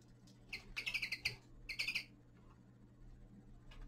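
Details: Winter twittering from a young male common linnet: two rapid bursts of about six clipped, chattering notes each, then quiet with only a low hum.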